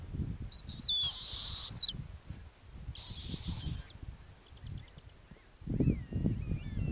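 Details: On an Arctic ground nest, a female snowy owl gives two shrill, slightly wavering whistled screams near a second apart, followed by faint thin chirps and a low rumble toward the end.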